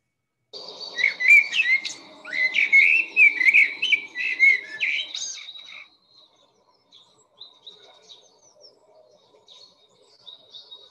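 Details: Common blackbird (Turdus merula) song, heard from about March onwards: a rich, thick, fluting phrase of mellow warbled notes for about five seconds, ending in a thinner twittering flourish, then faint scattered chirps.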